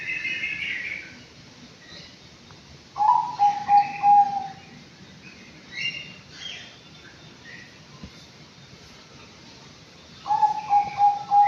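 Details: Aviary-kept Anggungan, five months old, repeating a short burst of four or five clipped whistled notes twice, several seconds apart. Scattered high chirps from other birds in between.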